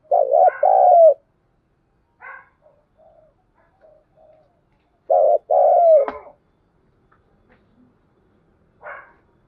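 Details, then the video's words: Spotted dove at first light giving the urging 'thúc gù' and calling coos, played to prompt newly caught doves to coo along: two low, hollow coo phrases, each a short dipping note then a longer falling coo, separated by quiet pauses and faint chirps. "Tiếng chim cu gáy thúc gù và gáy gọi lúc tờ mờ sáng"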